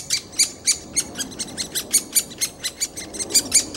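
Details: A Great Spotted Woodpecker chick being fed in Bystrzyca Valley Landscape Park begs with a fast run of harsh, high chirps, about four a second, with no other sounds.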